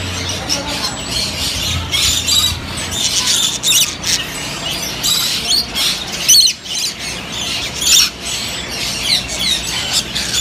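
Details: Swainson's lorikeets give harsh, shrill screeches and squawks almost without pause, overlapping in a noisy chorus, with faint voices in the background.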